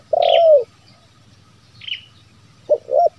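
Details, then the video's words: Zebra dove lure call for wild doves: one long burry coo followed after a pause by two short clipped coos, with brief high chirps of another small bird in between. "SUARA PIKAT TERKUKUR SI BERO KUK 1 LAMBUNG KUK"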